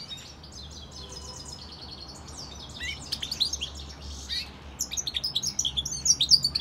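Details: Song of a hybrid between a European goldfinch and a canary; soft high trills and slurred notes building into loud, rapid twittering phrases toward the end.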